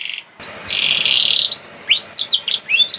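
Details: Canary in 'nembak' song, played to spur lazy canaries to sing: a long buzzy held note gives way to varied short whistled upslurs and chips, against light background hiss.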